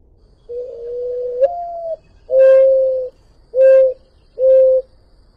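A Mourning Dove gives its soft, hollow, owl-like coo: a long opening note that lifts upward, then three low level coos about a second apart.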